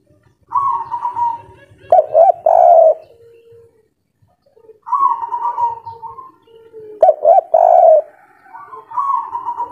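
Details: Local spotted dove of the kuk 3 style in full breeding condition: two bursts of deep coos separated by a pause. Each burst is led by a wavering whistled tone, with a faint low rumble in the background.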